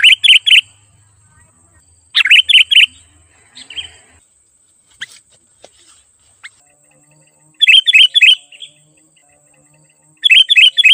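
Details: Sooty-headed bulbul in energetic gacor song, meant to call in wild bulbuls. Four short phrases of three or four sharp chirped notes, several seconds apart, with scattered clicks and soft ticks between them and a thin constant high tone.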